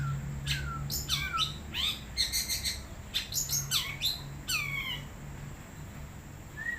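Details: Wild long-tailed shrike in song, giving varied scratchy chirps and sweeping whistled downslurs in quick clusters, some notes rising then falling, with a low steady hum underneath.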